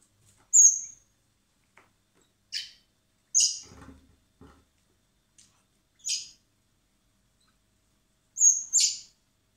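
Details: Spring feeding of orphaned common blackbird nestlings at a wildlife recovery centre, before their release: loud, sharp, high squeaks spaced a second or two apart, with faint handling clicks between.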